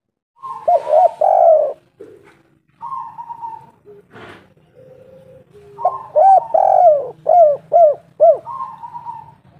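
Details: Spotted dove of local stock, calling persistently as a lure for other doves. Two bouts of quick, arched, hollow coos, the second with four or five notes in a row. Between them come softer level coos, one sharp click and faint low background rumble.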